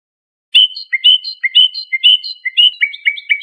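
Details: Calm Lor-style song of a trained Iranian European goldfinch, meant for training young songbirds: bright, slurred chirps alternate high and low in a bouncy pattern, roughly two per second. Clear recording with no other sounds.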